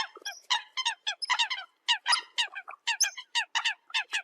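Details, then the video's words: Decoy sound of Eurasian coot: clipped, nasal honks in uneven bursts with clear gaps, some higher squeaks woven among them. "TIEN CHIM SAM CAM CUC CHUAN TIENG CHIM MOI"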